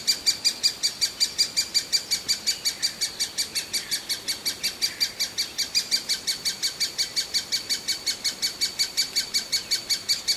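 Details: Hungry great spotted woodpecker (Dendrocopos major) chick begging nonstop for food with sharp, high, rasping notes, almost three per second, in a steady, insistent rhythm. No other sounds stand out.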